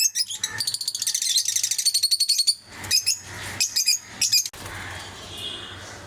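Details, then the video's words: Lovebirds of various colour mutations kept as pets, producing a fast, buzzy run of high chattering notes, then a few separate sharp chirps before falling quiet, with a low hum present. "Sounds of love birds"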